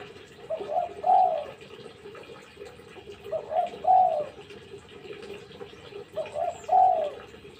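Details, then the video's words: Spotted dove heard at a distance through steady background hiss, giving three two-note coo phrases roughly every three seconds, the second note longer and gently descending. "Tekukur lulut gacor"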